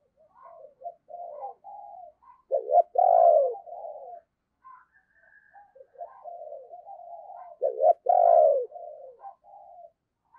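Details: Lure spotted dove in 'thúc' and 'gáy' style, calling wild doves: quiet bubbling coos leading into a loud emphatic double coo, the whole sequence given twice in about ten seconds.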